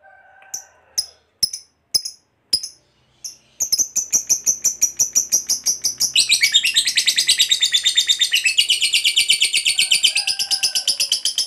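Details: Lovebird fighter in long 'ngekek panjang' chatter used to provoke other lovebirds: scattered sharp clicks and chirps, then a continuous rapid buzzy chatter that builds louder and denser, pulsing about three times a second for eight seconds.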